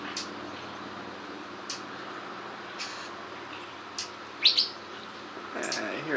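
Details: Curve-billed Thrasher at Hugh Ramsey Nature Park, Harlingen, south Texas, near feeders by a blind, giving one sharp, whistled two-note 'whit-wheet', with scattered faint chips, a man's voice and a steady background hiss.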